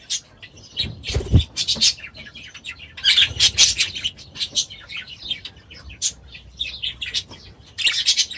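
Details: Aviary budgies trade scratchy chirps, squeaks and warbling notes in uneven bursts, with a low thump or wing flap early on and busier overlapping chatter in the second half.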